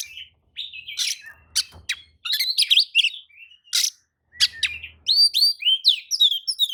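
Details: Worked-up Oriental magpie-robin answering another bird's singing, pouring out a fast mix of buzzy chatters, clear whistled slurs and sharp rising-and-falling notes, ending in a quick run of bright whistles.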